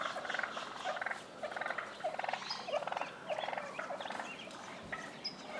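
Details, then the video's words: Wild tom turkeys fighting in a neighbour's front yard in Willits, Mendocino County, California, other toms worked up; rapid rattling gobbles and yelps in overlapping bursts with sharp squeaky notes. "Wild turkey fight"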